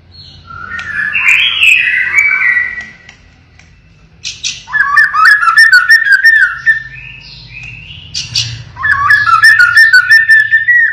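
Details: White-rumped shama, pied 'blorok' form, in full song with 'siren shot' phrases: a wavering whistle, then two long bursts of rapid, evenly repeated lower whistled notes, each opened by a sharp high note and separated by brief quiet gaps.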